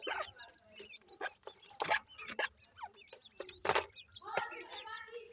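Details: Several short, high, slurred chirps from black francolin chicks, ending in a stacked, quavering peep, interrupted by bursts of sharp scraping and tapping.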